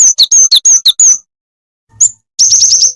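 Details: Jing jing tetep bird, a lure call used for trapping: high, sharp chirps in a rapid series of about seven, a pause, one chirp, then a fast run of dense chirps at the end.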